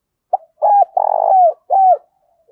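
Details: Spotted dove giving a cooing call in a sung style, a short note followed by three low hollow coos, the middle one long with a rapid pulsing quality, the last sliding down; no other sounds.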